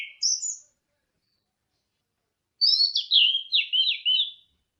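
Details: Teler song of an Orange-headed thrush: brief high twitter, a pause, then a quick run of downslurred whistled notes, clean with no background noise.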